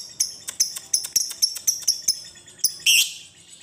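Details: Lovebird in long ngekek chatter, played to get other lovebirds singing: evenly spaced high, sharp chips about every fifth of a second, ending in a brief harsh screech.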